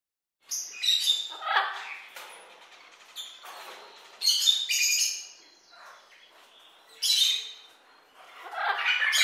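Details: Toucan giving harsh, raspy squawks in short bursts of about a second, with gaps between them, the loudest near the start, at four seconds and at seven seconds; no other clear sounds.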